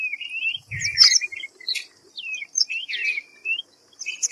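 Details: A white-browed fantail (Rhipidura aureola) calls with a quick run of clear, high whistled notes, sliding up and down in short phrases, with a couple of soft thumps and clicks.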